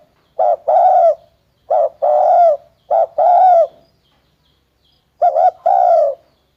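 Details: Four clear spotted dove phrases in near silence, each a quick rising note and a longer falling coo, spaced about every one to two seconds with a pause before the last.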